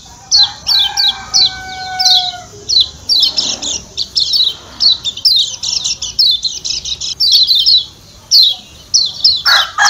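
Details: Kecial kuning Lombok (Lombok white-eye) giving its 'ciak ciak' call, a rapid run of sharp, high, downslurred chirps in quick bursts, with a steady low tonal whistle with overtones early on.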